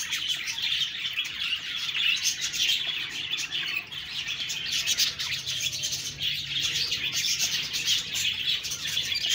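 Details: Budgerigar flock chatter: a continuous wash of high, scratchy warbles and rapid chirps rising and falling in loudness over several seconds.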